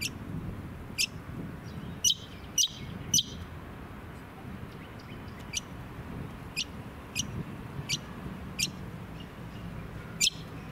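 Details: Brown honeyeater (Lichmera indistincta) in a suburban area of the Sunshine Coast, Queensland, in May 2018, giving sharp, high, clipped notes, singly or in quick pairs, at an uneven pace over a steady low rumble of wind and suburban noise.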